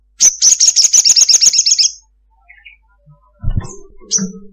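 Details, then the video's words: Ruby-cheeked sunbird female calling to a male with a long 'ngekek' chatter. A fast, shrill run of about a dozen repeated high notes over nearly two seconds, followed by soft low knocks and one thin high chip. "SOGOKONTONG Giras Ngekek panjang Pancingan bunyi ngalas"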